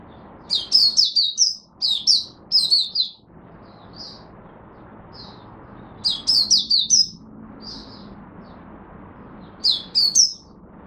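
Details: Captive Oriental white-eye in Singapore, recorded in humid, warm, rainy, overcast conditions on 23 March 2023, sings three separate bursts of quick, high, twittering chirps with quiet gaps of a few seconds between them.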